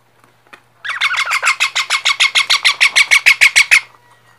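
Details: Parrot giving a rapid, steady series of about sixteen harsh squawks with rich overtones, roughly four per second for three seconds, in otherwise quiet surroundings.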